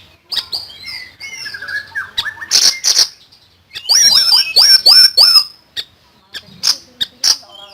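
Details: Song of a common iora: varied, high twittering and whistled notes, then a dense run of quick, upslurred chips, with scattered softer calls after.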